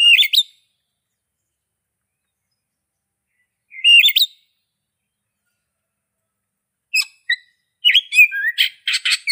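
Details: Oriental magpie-robin singing: short whistled phrases separated by long silences, then a burst of rapid varied chirps and trills near the end.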